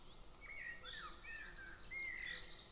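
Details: A golden eagle chick at a nest near a military training ground, 22 June 2024, gives thin, high whistled calls, a few sliding downward, then one drawn-out even note, with a faint, rapid pulsing twitter higher against soft background noise.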